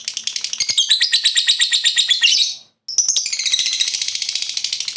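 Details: Lovebird in continuous ngekek chatter: rapid, shrill, buzzy chirps for over two seconds, a sudden brief cut to silence, then the fast chattering resumes.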